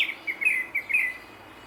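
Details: Grey-backed thrush giving a brief phrase of four or five mellow whistled notes, closely spaced and fairly level in pitch, then fading into quiet background.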